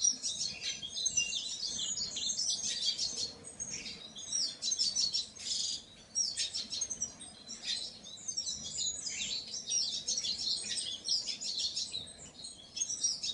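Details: Painted bunting singing: a continuous stream of high, thin, sweet warbled phrases with brief pauses between bursts, fairly dense throughout, over a faint low background hum.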